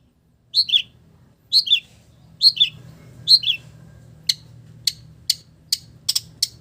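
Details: Long-tailed shrike singing imitations of village birds. Four falling two-note whistled phrases come about a second apart, then a run of sharp, high clicking ticks.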